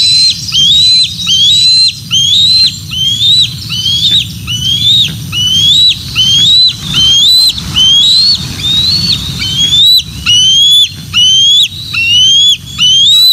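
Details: Bald eagles call at the Decorah North nest on 06 12 2024 as the female brings fish and two eaglets arrive: a steady series of about sixteen high, rising whistled chirps, regularly spaced under a second apart, over low background hum.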